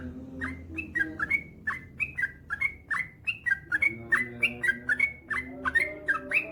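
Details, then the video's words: Yellow-vented bulbul male singing a long, rapid run as a tutor for caged birds: bright, slurred whistled notes in a steady stream, roughly three per second, alternating slightly higher and lower pitches, with faint background hum. "SUARA trucukan gacor ropel panjang"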